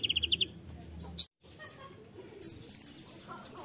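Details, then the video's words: Konin tembakan song, opening with a few quick high chirps, a short gap, then a long rapid series of very high pulsed notes at a fast, steady rate. "KONIN TEMBAKAN"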